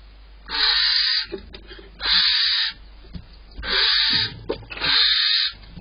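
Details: Barn owls inside a nest box at dawn in April, male delivering prey and a protective female: harsh broad hissing screeches, each lasting under a second, repeated three or four times with rustling and scraping between.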